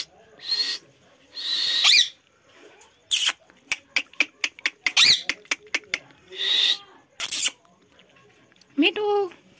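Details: Talking-trained Indian ringneck parrot: repeated harsh, raspy screeches and squawks alternating with quick dry clicking runs, ending on a short wavering tonal phrase.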